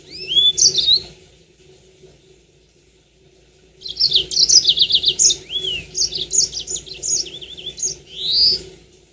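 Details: Lure recording of a Yellow-fronted canary: a short whistled flourish, a quiet gap, then a long fast chattering phrase of high slurred notes and trills lasting over four seconds, meant to prompt long rolling song.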